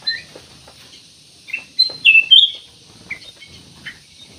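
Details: Black-naped oriole in full song, played as a lure to make other birds sing: a quick burst of bright, slurred whistles and chirps clustered in the middle, followed by a few softer single notes.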